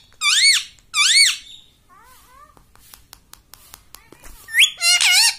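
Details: A pet parrot speaks "mummy". Two bright arched syllables at the start are followed by softer wavering squeaks and a few clicks, then a louder harsh pair of syllables to finish.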